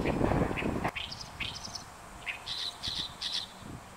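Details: Oriental reed warbler singing to declare its territory at Inuyama, Japan, on 28 May 2022; loud low rumbling noise at the start, then a series of harsh, chattering notes repeated in quick, irregular bursts.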